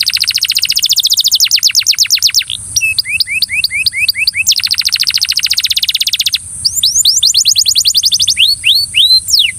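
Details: Belgian canary singing to coax a friend into song: alternating passages of very rapid buzzy trills and bouncier looping hooked notes, loud and nearly continuous, with a steady thin hiss in the background.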